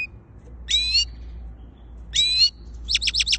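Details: European goldfinch from Quetta, Afghanistan region: two short bursts of stacked, buzzy twittering notes a second apart, followed by a quick run of four sharp descending chips.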